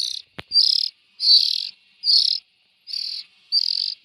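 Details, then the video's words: Rough, buzzy rasps of young bulbuls repeated about once a second, opened by a single sharp click. "Tiếng chim chèo non.suab mi nyuam noog siv txaij"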